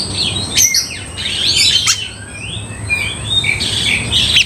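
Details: Oriental magpie-robin singing to provoke another into anger; softer, more distant whistled and warbled phrases with sliding notes over a steady hiss of background noise.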